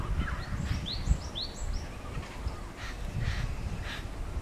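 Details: Lesser whistling duck (Dendrocygna javanica), recorded May 25, 2016, giving a quick run of thin, rising whistled notes for about two seconds, over steady low rumbling background noise and a few breathy rustles.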